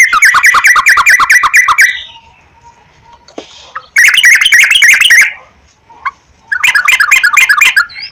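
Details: Sooty-headed bulbul song used as a lure to get birds singing. Rapid, rolling bursts of harsh, bubbly notes come in three loud spells separated by quieter gaps.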